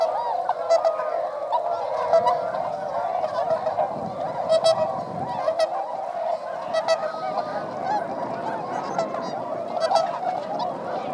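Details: Flock of 905 swans flying at wintering rice fields in Motono, Inzai, Chiba, Japan, December 2014; loud sustained honking chorus with clear nasal notes repeating every second or so, plus occasional sharp higher squeaks.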